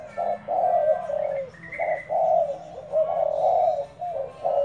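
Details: Decoy spotted dove giving hoarse, low cooing phrases. Short and long notes alternate with small pauses between them, and a faint higher note sounds in the middle.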